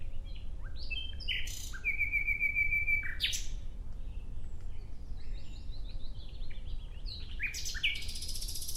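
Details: Nightingale song with a long, clear, steady whistled note held for about a second, then sharp bursts, a quiet stretch of soft repeated notes, and a loud rapid phrase near the end over low ambient noise.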